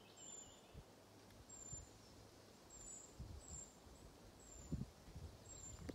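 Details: One of two Eurasian treecreepers at Kyrkåstjärnen, Njurunda, Sweden, on 10 July 2020 gives six very high, thin 'srri' calls about one per second, with a willow warbler joining in, over a soft low rumble and rustling.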